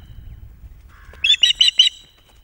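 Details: Female osprey on the Loch of the Lowes nest, 21 June 2021, around 19.45, mantling over her chicks and shrieking at an unseen intruder. Four piercing, high shrieks come in a quick, evenly spaced run after a faint lower note.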